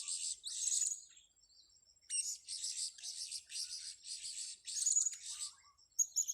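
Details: Blue-crowned hanging parrot recorded during a bird-luring session: bursts of shrill, very high chirps, some with a thin whistled tone, in dense clusters around one second and again from two to five and a half seconds, separated by brief pauses.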